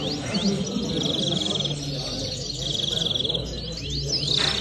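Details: Common linnet singing: twittering song of short, high, rattling trills and quick rising sweeps, repeated at intervals, over a low rumbling background with faint voices.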